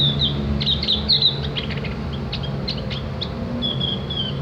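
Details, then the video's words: Javan grey-throated white-eye tutor song: quick high chirping twitters at the start, a few clicks, then a drawn-out thin whistle near the end, over a steady low hum. "masteran burung opior jawa atau cak gentong agar ikut ngriwik dan bunyi"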